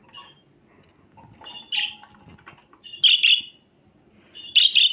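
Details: Budgerigar calls beginning with faint, scratchy notes and soft knocking, then building to loud paired chirps, two quick doubles close together near the end.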